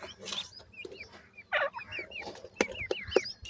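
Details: Francolin chicks at feeding time give a series of thin, high, down-curving peeps spaced a fraction of a second apart. Sharp taps and a brief rasping rustle break in between the calls.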